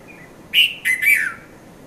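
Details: Red-vented bulbul calling at daybreak, 5:30 to 5:40 a.m., Mount Lavinia, Sri Lanka; a soft faint note precedes a loud three-part whistled phrase whose last note trails downward.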